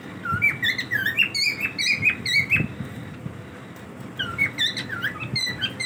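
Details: Cockatiels kept as pets, daily routine: bouts of bright whistled chirps, several birds overlapping, a pause of about a second, then another flurry of rising and falling chirps.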